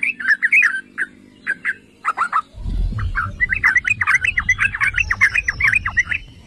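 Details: Trucukan, the yellow-vented bulbul, in lure song to excite other bulbuls: spaced gurgling notes at first, then after a low thud a rapid, busy stream of bubbly chirps with steady background rumble.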